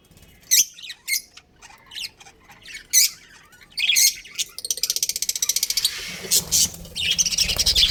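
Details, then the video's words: Budgerigars, a breeding pair within a colony, utter a run of sharp, harsh chirps, then a rapid rattling series of clicks and a dense buzzy chatter toward the end. "Cute Budgies Chirping Sounds"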